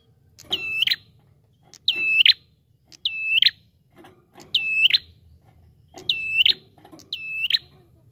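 A bar-winged prinia gives loud, high, ringing phrases with a sharp start and a clipped end. They repeat about every second over a faint low rumble.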